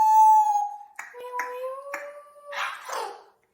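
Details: Congo African grey parrot kept indoors as a pet, playing and having fun; clear sustained whistle sliding slightly down, then short clicks, two steady rising whistled tones, ending in a burst of harsher noisy sound.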